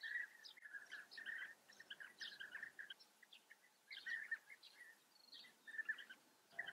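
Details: At a bee-eater breeding colony in Germany's Eifel region, European bee-eaters give soft, rolling purring notes in quick runs, pausing briefly, then resuming; a few higher chirps mixed in, quieter and more distant.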